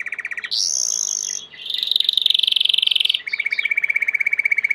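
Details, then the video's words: Belgian canary, a domestic canary, singing: rapid trilled tours shift from a low rolling trill to a high buzzy rattle, then a long pulsed middle trill, ending in a steady fast low trill. "COMO FAZER SEU CANARIO CANTAR MUITO 20 MINUTOS DE CANTO"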